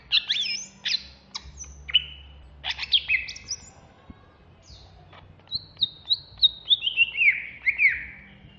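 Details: Agitated ngentrok singing from a Banyuwangi greater green leafbird: loud chirps and downslurred notes open the phrase, then after a quiet gap comes a rapid cascade of bright whistles stepping steadily downward.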